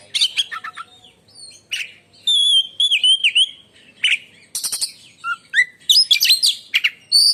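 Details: Oriental magpie-robin singing shrilly, a loud contest-bird performance likened to lightning: clear wavering whistles, sharp chips and dense buzzy bursts, alternating high and lower notes in lively varied phrases.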